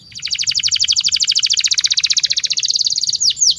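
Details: Master canary song for young birds: a long rapid trill of repeated short notes, slightly falling in pitch, ending in two sweeping whistles; soft low background noise.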